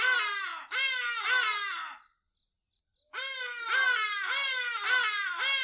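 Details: A hadeda ibis in southern Africa gives loud, harsh, braying 'haa-haa' calls in two raucous bursts separated by a second of silence.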